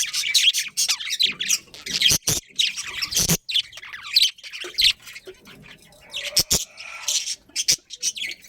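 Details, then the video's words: Budgerigar breeding colony with a breeding pair: rapid high chirps and squawky warbles in uneven bursts, several sharp clicks, and a soft lower murmur near the end. "Cute Budgies Chirping Sounds"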